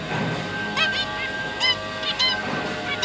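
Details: Zebra finch parents tending three juvenile babies indoors: a few short nasal honking notes, some paired, spaced irregularly against a droning electrical hum.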